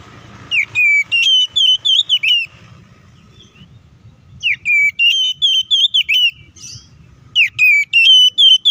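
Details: Oriental magpie-robin singing an aggressive fighting song intended to enrage rival birds. Three strong bursts of rapid, piercing whistled phrases with sharp rising and falling slurs, each lasting about two seconds, faint rumble underneath.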